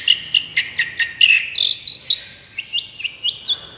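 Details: Long-tailed shrike therapy song used as a lure: high whistled chirps at an uneven pace, sliding up and down, with a short rising buzzy flourish midway and softer chirps following.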